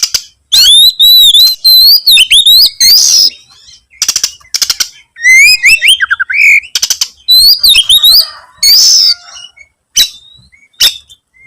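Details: Oriental magpie-robin singing energetically, continually seeking its rival: loud varied phrases of clear rising and falling whistles mixed with dry rattling clicks and harsh buzzy bursts, broken by short pauses.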